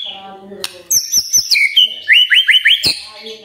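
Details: Magpie-robin singing in the morning as a lure to make other magpie-robins sing: sharp ticks, then high whistled notes stepping down, followed by a run of four quick rising slurs.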